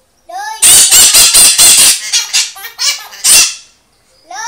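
A parrot sings along with a child: a burst of about eight harsh, screechy notes, then shorter grating calls, with rising whistled voice tones at the start and end.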